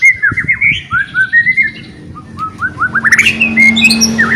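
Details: Singing white-rumped shama, used as a lure so silent shamas sing again: a string of mellow slurred whistles, then a quick run of rising high notes and sharp whistles.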